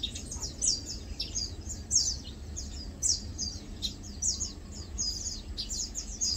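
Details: Lowland white-eyes feeding and preening give sharp, high downslurred chips roughly every second among softer twittering notes, with faint low background noise.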